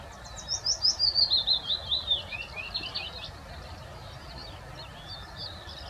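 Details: A Scandinavian rock pipit (race littoralis) at a pond scrape on the morning of 16 May 2024, between showers, gives a quick run of thin, high chirps sliding downward, then softer scattered notes, over a steady low rumble.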